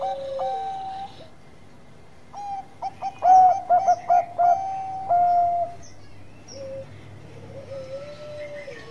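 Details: Bangkok-type zebra dove, energetic lure song: a sliding opening coo, then a loud cluster of rapid staccato coos ending in a long level note, followed by softer low drawn-out calls.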